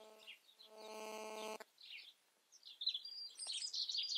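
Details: European robin singing: after a low buzzing hum in the first second and a half, high thin warbled notes and twittering fragments rise and fall, ending in a dense, sharp, high-pitched jumble.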